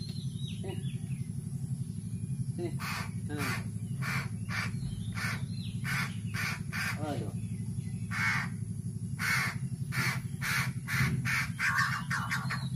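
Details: Hungry captive crow in Indonesia being hand-fed gives loud, harsh, raspy begging calls in rapid irregular bursts, with a person talking throughout and a steady low hum in the background.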